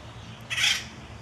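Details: A single male Acorn Woodpecker (full red crown) gives one harsh, rackety, high raspy squawk, about a third of a second long, over a faint low room hum.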